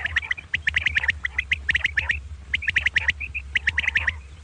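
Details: Double 'kirk karkar' call of common quail, the batair, at morning time: rapid, clipped, scratchy notes in tight bursts separated by brief pauses, a few clearer whistled notes near the end, and a low hum throughout.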